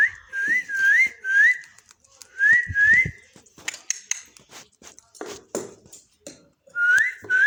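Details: Parrot eating and talking: repeated rising, slurred two-note whistles, several in quick succession, then a pause filled with clicks and crunching food noises, before the rising whistles return.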